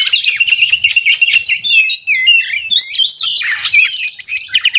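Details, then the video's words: Oriental magpie-robin in konslet style fighting song, a lure to make caged birds sing; dense high warbles and clear whistled notes run together, some fast trills, steady loud delivery, faint low background sounds. "kacer gacor konslet narung ini AMPUH buat pancingan kacer agar bunyi"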